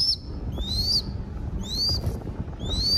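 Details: Crested goshawk nestling raised for falconry in Cambodia begs during feeding with piercing rising whistles in quick succession, about one per second, over soft low background noise.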